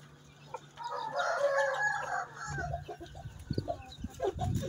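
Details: Asil Rampuri rooster kept on a farm in Chihuahua, Mexico, giving a hoarse, drawn-out crow of about one and a half seconds, followed by scattered clucks and knocks over a steady low electrical hum.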